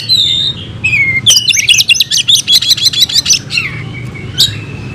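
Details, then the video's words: Fighting-style song from a caged oriental magpie-robin: two descending whistles lead into a loud, rapid series of sharp buzzy notes lasting about two seconds, then a final sharp chip, with a steady low hum behind. "Kacer gacor tarung bongkar isian"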